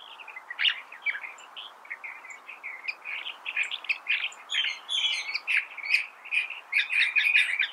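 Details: California thrasher song: a continuous jumble of short, varied chirps and warbled notes that grows louder and busier toward the end, with some high squeaky elements over soft background hiss.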